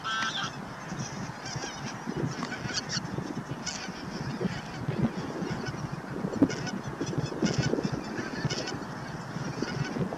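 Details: Flock of bar-headed geese at Naardermeer, the Netherlands, 9 March 2021, giving a dense, continuous chorus of nasal, overlapping honks, with faint higher bird notes in the background.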